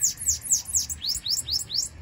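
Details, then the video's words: Sibite, loose, delivering a rapid series of high sliding notes, first falling sweeps then rising upslurs, about four per second, with a faint low rumble behind. "Sibite - VEJA O QUE ESSE SIBITE FEZ SOLTO"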